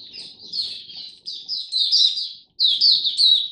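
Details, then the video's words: Kept Oriental white-eye performing song display on 26 November 2022: high chattering warbles building in loudness, a sudden short silence, then another vigorous burst. "Mata Puteh Buka Sing Raja"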